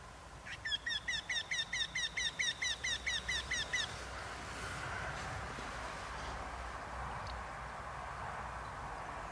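Eurasian wryneck giving a quick run of about fourteen nasal, slightly plaintive notes, roughly four per second, then steady background rumble.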